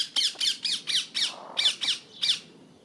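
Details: Hens and chicks dust-bathing, eight loud, harsh, high squawking calls in quick succession, each sweeping downward, about three to four per second, then a short quiet pause at the end.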